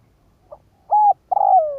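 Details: Spotted dove decoy cooing to draw in wild doves. A faint short note, a flat sustained coo, then a drawn-out coo easing downward in pitch, with a clean, quiet background.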